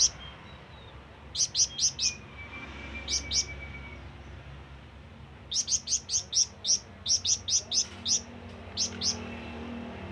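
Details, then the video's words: Flamboyan bird giving calls meant to summon companions or rivals. Short clusters of piercing high chirps come first, then a long, quick series of about a dozen notes, with faint other bird whistles behind. "SUARA BURUNG FLAMBOYAN MEMANGGIL TEMAN"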